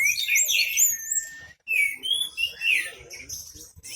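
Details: Orange-headed thrush singing deeply absorbed and loud, tail opened, acting as a lure for other singing birds: bright whistled slurs and warbles in phrases broken by a short silence midway.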